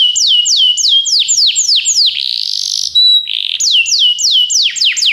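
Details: Belgian canary song for getting other canaries to sing: repeated falling whistled sweeps, a buzzy roll and a steady tone, then more descending sweeps.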